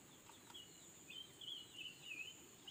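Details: Red-billed leiothrix singing all day: a faint run of quick, slurred warbling notes that rise and fall, heard over a steady high hiss and low background rumble.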